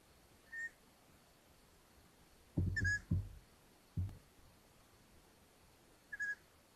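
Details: Mother long-eared owl delivers a mouse at the nest in Hungary, 13 May 2022: short, high whistled notes every couple of seconds, mixed with several dull knocks and rustles from movement in the nest.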